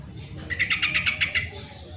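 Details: Sooty-headed bulbul, used as a lure for lazy birds: one short, fast run of about seven scratchy notes, slightly rising overall, over a low hum.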